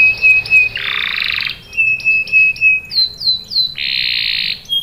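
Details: Canary singing to draw young canaries into song. Steady whistled trills alternate with broad, harsh buzzing rattles, and a few quick down-slurred sweeps fall in between.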